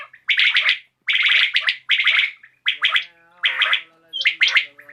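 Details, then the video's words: [['Common quail calling in the evening: loud three-part bursts of sharp, clicky notes, each phrase repeated roughly every second, with a faint low tonal hum in the later part.']] "COMMON QUAIL CALLING | BATAIR KI AWAZ | AJ SHAM KI RECORDING"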